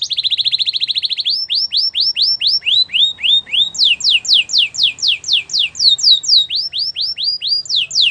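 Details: Singing Belgian canary, used to coach a silent bird: a quick even trill opens, then a long run of swooping slurred notes repeated about twice a second, shifting pitch between phrases.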